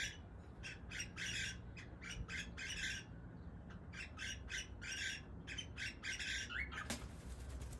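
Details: Cockatiel squawks during mating season, loud grating bursts in quick uneven runs with brief pauses, a sharp click near the end, and low hum beneath.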